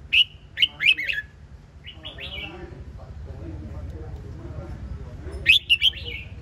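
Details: Red-whiskered bulbul singing short bursts of bright, chirpy whistled notes at the start and again near the end, separated by a quiet gap with a faint voice and steady low background hum.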